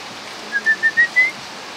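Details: A bulbul with a loud voice: a short phrase of five pure whistled notes that step slightly upward in pitch, the last one longest, over steady background hiss.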